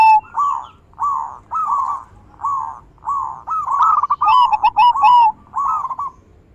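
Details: Zebra dove song used as a lure for doves that have stopped singing, in big, bekur and crystal voice variations: evenly spaced single coos building into a fast rolling run, with bright high chirps layered over the middle.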